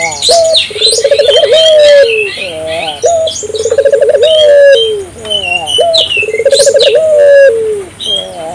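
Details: African collared dove calling actively, used to stimulate local doves to call: a short rising note, a rolling bubbly trill, then a long steady coo, repeated three times, with chirping small birds higher above.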